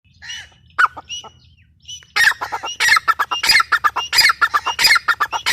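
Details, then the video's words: Grey francolin (teetar): a few soft, separate tonal notes for two seconds, then a loud, harsh, rapid run of repeated grating notes with short whistled rises, about one and a half per second, with a faint low hum behind. "gray francolin teetar sound"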